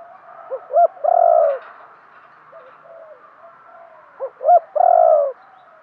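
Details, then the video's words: Decoy spotted dove cooing to bring in wild birds: two phrases, each a few short stuttering notes ending in a drawn-out throaty coo, with faint cooing between them. "chim cu mồi thúc gù, chim cu gáy kích bổi mới nhất, cu cườm thúc gù giọng hay"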